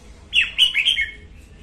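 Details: Female red-whiskered bulbul singing in the morning, recorded as a lure for training birds and trapping: one brisk phrase of three or four bright, slurred whistled notes, rising then falling, in quiet surroundings.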